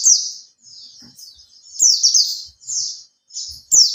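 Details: Oriental white-eye in captivity, three months in care, giving a lure song meant to prompt others to sing: shrill twittered phrases of quick descending notes, several bursts in four seconds with quieter warbling between.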